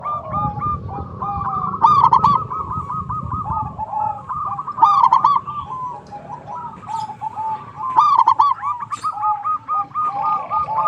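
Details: Local zebra dove song used as a lure to prompt other zebra doves to sing: overlapping rolling, trilled coos held near one pitch, with sharp high chirps from other small birds around two, five and eight seconds.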